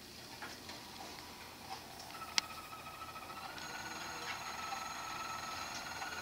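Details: Belgian canary (roller-type song) singing in a roller canary song competition on December 17: soft, sustained rolling notes held steady for several seconds, with faint ticking clicks and one sharp tap earlier.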